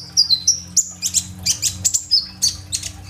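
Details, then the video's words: Kolibri ninja sunbird in full song, recorded on an Oppo A37f; quick high whistles and bright chips, some dropping in pitch, repeated at a brisk, uneven pace above a low hum. "BURUNG KOLIBRI NINJA GACOR FULL TEMBAKAN ISIAN ROLL TEMBAK ! AMPUH BUAT PANCINGAN KONIN BAHAN IJOAN"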